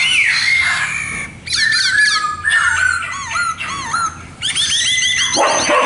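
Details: Khướu mun laughingthrush in showy song: a descending whistle, then chains of quick arched notes and looping slurs, with brief gaps and dense buzzy passages toward the end.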